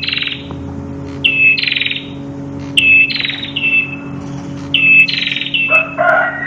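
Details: A red-headed prinia sings a crystal-clear master song of bright, high phrases, pure whistled notes running into buzzy trills about every one to two seconds, over a steady low electrical hum.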